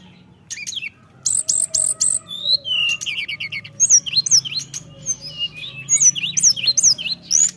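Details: Energetic Bali myna song with sharp descending whistles, clusters of high clicks and chatter, and looping up-down whistled notes in quick succession; a faint low background hum throughout.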